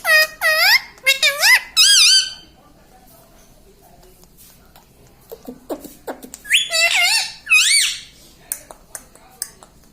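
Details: Pet parrot mimicking words such as mithu and sita ram: loud rising-falling harmonic calls in two bursts, with quieter voiced sounds between.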